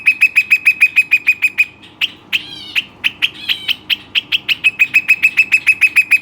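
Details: Lively pet Western rock nuthatch giving fast, evenly spaced piercing notes, a brief pause filled with buzzier rising calls, then resuming the quick, metallic repeated notes.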